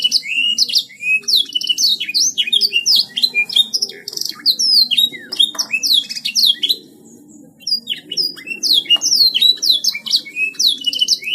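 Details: Long vigorous gacor song of a canary. Dense high trills, sharp descending whistles and buzzy rattles run almost nonstop, pause briefly after the middle, then resume just as fast, over faint low background noise.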